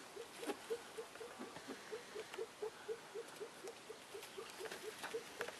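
Elliot's pheasant hen giving soft, low clucking notes, about four per second in a steady run, over faint rustling and patter.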